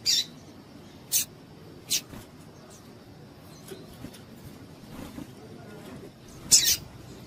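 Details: Female double-collared seedeater chips to excite males: three quick high notes spaced under a second apart, a long quiet gap, then one loud final chip, with soft background noise throughout.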